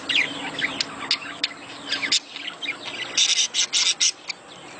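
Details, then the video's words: Budgerigars giving a mating sound meant to stimulate breeding. Dense warbling chatter of many chirps and squeaks is followed by a bright series of short, sharp high chirps. "صوت تزاوج العصافير الاسترالي"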